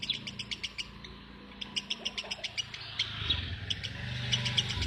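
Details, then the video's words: Lovebird giving rapid, sharp, high-pitched chirps, about four per second, in bursts broken by brief pauses, over a steady low background hum and rumble. "Love bird"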